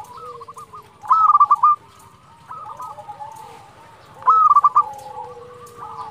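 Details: Local zebra dove in full, persistent song meant to draw rival birds into answering; two bursts of rapid stuttering high coos about three seconds apart, each trailed by softer lower notes, over a low background hum.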